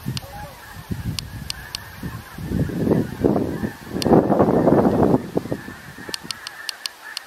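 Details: A very large flock of snow geese on 17 November keeps up a dense, overlapping clamor of nasal honks, swelling and fading in waves, with a few sharp clicks.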